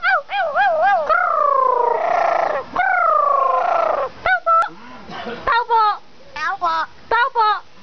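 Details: Pet crow talking to its owner: a run of wavering, warbling tonal phrases with fast vibrato, then long drawn, gently falling notes and short rising chirps, close and loud indoors.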